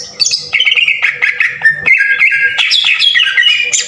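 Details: Green leafbird song played to trigger singing, coarse 'tembakan kasar' style: a dense, unbroken stream of warbled mid-pitched whistles mixed with harsh rasping notes, climbing into higher slurred phrases toward the end.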